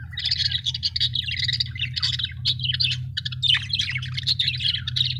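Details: Happy budgies keep up an unbroken stream of twittering chirps, scratchy warbles and squeaks, steady in loudness throughout, with a low continuous hum in the background.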